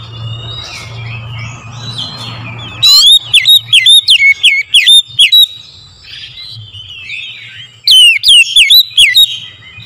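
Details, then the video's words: Morning lure song of an oriental magpie-robin: after a few seconds of soft twittering and low hum, two bursts of rapid, piercing whistles with sweeping dips and rises, around two notes a second. "TERAPI PANCINGAN AMPUH KACER DIPAGI HAR1"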